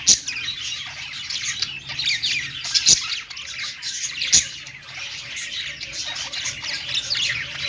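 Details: Several parakeets singing on a perch indoors or in a cage: unbroken chattering warble of mixed squawks and twittering, punctuated by a few loud clicking notes about every one and a half seconds.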